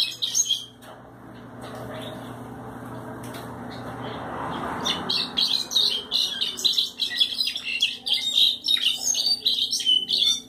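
A European goldfinch sings a fast, tinkling run of high twittering notes, liquid chirps strung together with buzzy trills, over a low steady hum.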